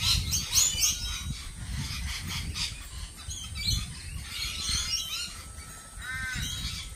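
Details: Lorikeets in a busy group, giving a dense wash of shrill, scratchy chattering notes, loudest in the first three seconds, with a low rumble of background noise throughout.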